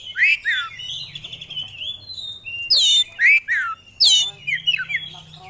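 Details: Kacer, a contest-bred oriental magpie-robin, pouring out loud sweeping whistles that slide down steeply, mixed with a drawn-out thin note and short scratchy phrases.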